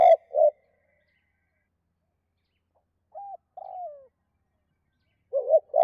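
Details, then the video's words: Spotted dove calling to hens in the two-note "2 cốt" style used to lure wild doves. Two low hollow coos open the clip, two short slurred higher notes follow after a pause, and a further pair of low coos closes it. "Chim cu gáy 2 cốt và thúc lợi cốt kích bổi"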